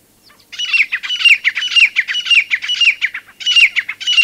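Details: Grey francolin, a single bird recorded close at Cape Monze, with bulbuls and babblers in the background: loud, high, ringing call notes with falling slurs, given in rapid repeated phrases about twice a second, with a brief pause near the end.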